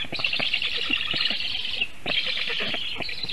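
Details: Black stork nestlings in Latvia's Sigulda region call as a goshawk sits on the nest tree, 1 August 2021, afternoon. The parent fled without feeding. Two long, wheezy, high-pitched bursts are broken by a short gap, with knocking sounds underneath.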